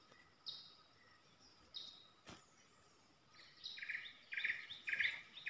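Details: Bulbul roused against rival birds, heard at a distance: scattered high whistles, then quick, repeated bubbling phrases that grow louder, over a steady hiss.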